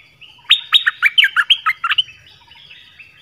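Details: Nok dok taeng song in the 'phleng boen' style, used for young birds to copy and to stir wild birds: a quick run of bright, whistled notes sliding downward, about a dozen in under two seconds, then softer trailing notes and a final sharp note.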